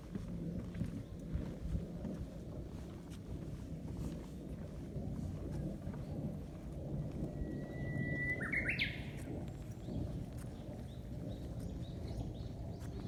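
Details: A single song phrase from a Japanese bush warbler near the Ibusuki Skyline lookout in Kagoshima, in warm weather, heard late in the recording: a held whistle, then a brief rising flourish. Heavy low rumble fills the rest.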